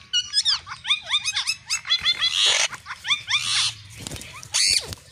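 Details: Rose-ringed parakeet giving rapid runs of shrill, high-pitched squawking notes in quick repeated bursts, some harsher and noisier, with short pauses between series and a faint low hum behind.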